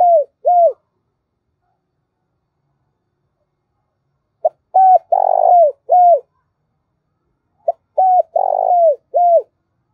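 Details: Decoy spotted dove calling to draw in other doves: phrases of a brief note, arched coos and a rolled, throaty middle coo, delivered three times with long silences between, clean and close.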